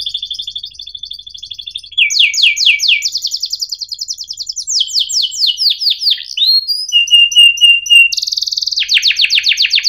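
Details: Canary song meant to teach young birds and coax silent ones into singing: continuous high, sharp rolling trills that shift between pitches, with rapid repeated chips, buzzy runs and a steady whistled trill near the end.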